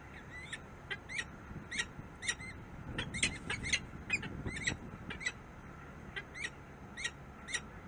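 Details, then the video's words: Peregrine falcon in Harrisburg, USA, giving a harsh, repeated call about twice a second, with each note sharp and ringing. Steady low traffic-like rumble fills the background. "Sokół wędrowny"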